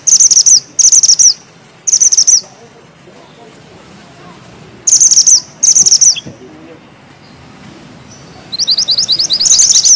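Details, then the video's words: Bushchat (mantenan gunung) singing vigorously: short, loud, very high rolling bursts, some half-second, come in clusters with long gaps. A longer, rapid, stuttering trill closes the sequence. "Mantenan gunung gacor ngeroll rapat,nembak tajam!!"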